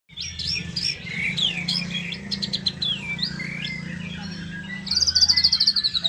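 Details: Young white-rumped shama singing: varied whistled phrases with slurred rising and falling notes and quick chips, closing in a rapid high trill, over a steady low hum.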